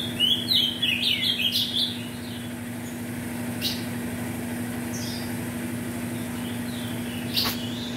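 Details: A male Ultramarine grosbeak bred from mutation parents gives a quick, rich warble of sweet whistled notes for about two seconds, then near silence over a steady low electrical hum with a few faint chips.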